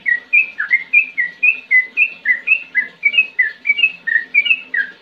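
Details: Sooty-headed bulbul in energetic ngetir ngerol song: an even, steady stream of short clear whistled notes, about four per second throughout, each note slightly rising then dropping, with low faint room noise underneath.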